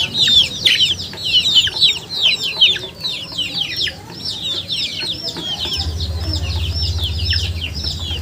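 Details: Chickens in a loud flock of high, downward-sliding peeps, strongest in the first seconds, then a steady low droning tone from about six seconds on.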